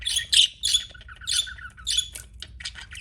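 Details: Pet budgerigar chirps: short bright notes repeated in clusters roughly every half second, some slightly buzzy, over a quiet low hum.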